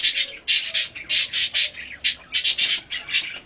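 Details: Hand-tame budgerigar, a colour mutation, squawking during feeding and play: loud harsh buzzy bursts in short clusters of two or three, separated by brief gaps.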